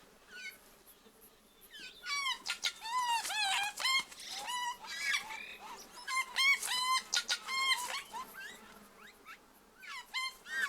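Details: Tui singing a varied, complex phrase of ringing upslurred whistles, harmonic notes and dry clicks, delivered in bursts with short gaps and broad high-pitched flourishes.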